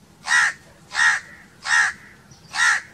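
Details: A crow caws four times in a steady rhythm, harsh and broad-toned, each caw roughly two-thirds of a second after the last, over a quiet background.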